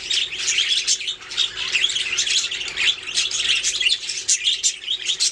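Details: Budgies singing, a continuous bright chatter of fast high chirps, clicks and short squawks from several birds at once.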